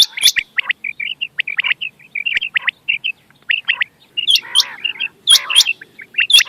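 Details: Quail sounds for night hunting, 6 November 2025: quick, high chirping notes about one a second in loose runs, with a few harsher, scratchy bursts near the end.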